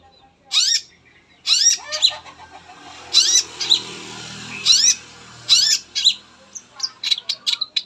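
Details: Long-tailed shrike song used as a lure to make other shrikes sing: loud, harsh rising swoops given in clusters about every one and a half seconds over steady background hiss, ending in quick scratchy chips.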